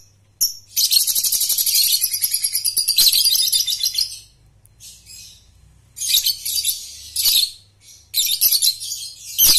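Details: Lovebird ngekek trill, played to teach young birds: a loud, dense, fast-pulsed high rattle lasting over three seconds, then a quiet gap and several more rattling bursts, with low hum in the background.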